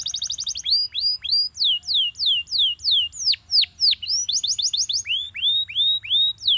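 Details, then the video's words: Belgian canary in morning song, opening with a fast high trill, then loud slurred whistles that drop steeply in pitch, some drawn out longer, ending in a rapid rattle and further falling notes. "Belgian Canary Singing In The Morning"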